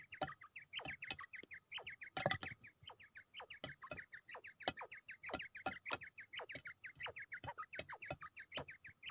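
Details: Fighting quail in Pakistan, ready to fight, gives a fast, steady series of short, hooked, chirping notes, about three each second, over sharp clicking taps and knocks.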